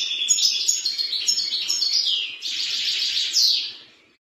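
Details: European serin (Serinus serinus), song.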